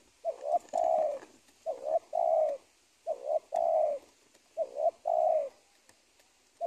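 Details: Indonesian spotted dove by a teak plantation edge and an old cornfield, during trapping. Regular phrases of two quick coos and one longer coo, repeated roughly every 1.3 seconds, with faint clicks.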